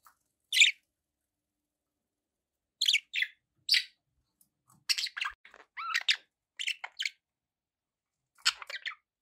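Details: Pet budgerigars giving short, scattered chirps and warbles in bursts separated by pauses, each note high and sharp, with quiet gaps between.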